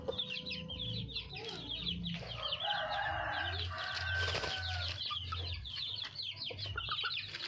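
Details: Wild red junglefowl hen calling for a male: a long, loud, rasping harmonic call in the middle, set among dense, rapidly repeated high chirps of other birds and a low pulsing hum.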